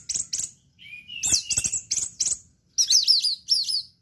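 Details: Orange-headed thrush, 'teler' tutor song: sharp high chirps, a thin rising whistle, then rapid zigzag twittering phrases repeated in short bursts.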